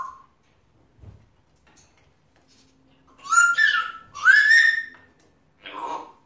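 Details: African grey parrot, a male pet, chattering to himself: a brief note, a quiet pause, then two loud harmonic whistled squawks rising and falling, and a softer raspy closing sound.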